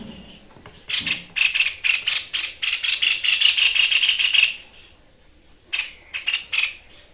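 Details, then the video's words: White-chested babbler, known locally as sniper bird, in full vigorous 'deadly shot' song: a fast dry rattling series of harsh notes, about three per second, running for over three seconds, then a short pause and a few more rattling bursts. "FULL TEMBAKAN MAUT TEPUS DADA PUTIH GACOR || Burung SNIPER"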